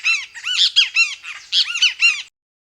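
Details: Great kiskadee, named for this call, gives loud, harsh, emphatic calls: two quick bursts of three squawky arched notes, with no other sounds.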